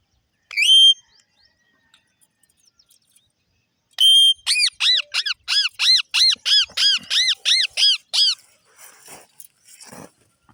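A ringneck parrot gives one sharp rising squawk, then a fast run of about a dozen bright, arched, ringing notes, roughly three per second, ending with faint scratchy sounds.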